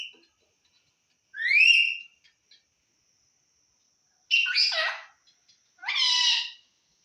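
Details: Talking parrot from Assam, words given as "ki korisa? o kaka"; three separate utterances, a rising harmonic whistle followed by two longer raspy, speech-like bursts, with quiet gaps between them.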